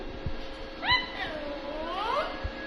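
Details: Talking Indian ringneck parrot (rose-ringed parakeet) from Pakistan: a short voiced, harmonic word-like sound that rises and falls, then a longer rising sweep. Steady background hum and low thumps.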